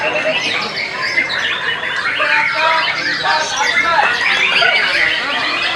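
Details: White-rumped shama pouring out rapid, tangled phrases of sweeping whistles, chirps and raspy notes at a fast, irregular pace, the song filling the recording without pause.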